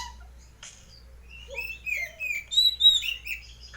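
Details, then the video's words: Short burst of white-breasted Oriental magpie-robin song in the open ngeplong style, for home entertainment: a few soft low notes building into loud, sweet whistled slurs and twitters. "Burung Kacer gacor (dada putih ngeplong)"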